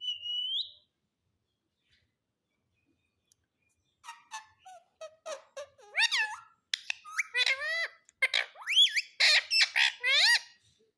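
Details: Pet green ringneck parrot talking indoors: a single rising whistle, a pause, then a rapid run of squeaky, speech-like syllables with many sliding tones.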